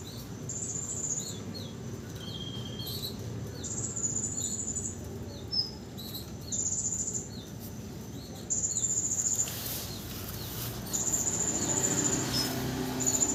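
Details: Canary kept as a tutor bird for other songbirds, singing strongly right after its moult without any conditioning: thin, high trills in bursts of about a second, separated by short chirps and a few slurred notes over a low, steady background hum.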